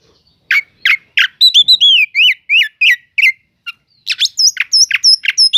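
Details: Oriental magpie-robin song used to provoke slow-reacting magpie-robins: harsh notes leading into a run of rich whistled falling slurs, then rapid sharp repeated notes with thin high whistles overhead.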